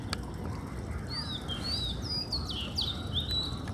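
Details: Morning song of an Oriental magpie-robin (doyel), recorded at home in Bengal: a run of bright, sweet whistles, some sharply falling, others rising and bending, delivered in quick succession above a constant low background hum.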